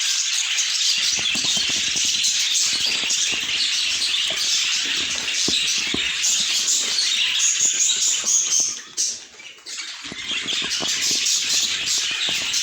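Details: Many budgerigars chattering together: a steady stream of bright, scratchy warbling and quick chirps, briefly dipping near the ninth second before the busy chorus resumes, with fluttering and clicking underneath.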